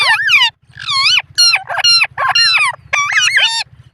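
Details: Indian ringneck parrot vocalizing loudly, with words given as "mitthu" and "mammi": a run of harsh, rasping, arched squawks in quick succession, most sweeping up then down, over a steady low hum.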